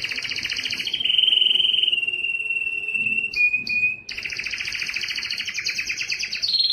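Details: Song of a yellow canary: fast pulsed trill stepping down to a smooth sustained rolling note, a brief pause, then a long, dense, buzzy high trill ending on a sharper phrase.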